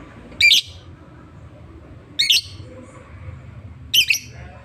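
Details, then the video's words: Lovebird said to be in strong voice gives three short, harsh, squeaky chirps, spaced about every one and a half to two seconds, with a faint low room hum in between. "burung Lovebird gua gacor tak ada ampun byutiful Lovebird felay"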